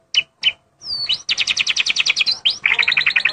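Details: White-rumped shama singing actively: two sharp high chips, a descending whistle, then a fast run of high buzzy repeated notes, about three or four per second, and a lower rapid trill at the end.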